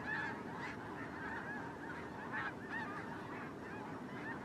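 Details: Snow geese massed during migration: overlapping honks forming a constant chorus, with clear individual yelps popping out every second or so.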